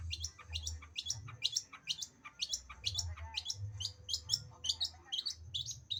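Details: Cendet, or long-tailed shrike, singing a quick run of high squeaky, scratchy phrases repeated almost without pause over a low background rumble.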